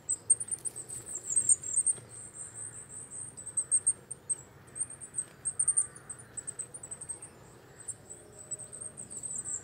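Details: Coal tit singing: a continuous run of very high, thin, twittering notes, closely packed and uneven, over quiet low background rumble.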